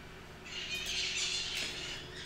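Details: Maritacas (parakeets) in a backyard in São João da Boa Vista, São Paulo, Brazil, on an afternoon in August, giving harsh, overlapping squawks in a dense high-pitched chatter that swells and fades over about two seconds, with a low hum.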